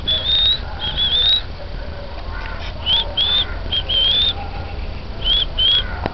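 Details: Oriental magpie-robin song of pure, high whistles, several drawn out and rising, others short, in loose phrases with brief gaps, set against a constant low background hum.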